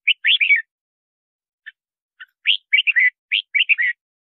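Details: Red-whiskered bulbul song used to lure wild birds and train singing: quick bursts of warbled, slurred whistled notes rising and falling, in phrases separated by short pauses, with no other sounds.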